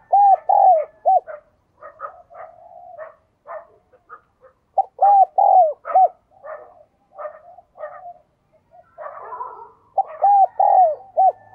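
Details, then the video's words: Spotted dove kept as a decoy, calling repeatedly: loud arched hooting coos in groups of three to four, interspersed with softer clipped notes and faint higher chirps from other birds. "cu gáy, chim cu mồi gáy gọi"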